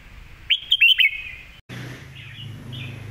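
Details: Red-whiskered bulbul giving a crisp master song for tutoring young birds: three or four loud, rising whistled notes in quick succession, followed by a low steady hum and faint warbling.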